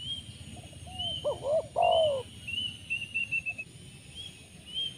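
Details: Spotted dove cooing, a bird prized for bird-catching with a call style called 'penguasa makam', described as having much rolled 'rrr': a few low, throaty, trilled coo notes, with thin high chirps of other birds and steady insect hiss around it.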